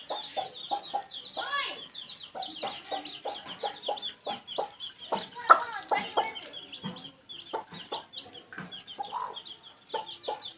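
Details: Baby chicks chirping: a steady stream of short, high peeps, rapid and overlapping, mixed with lower soft clucking notes, in a village setting.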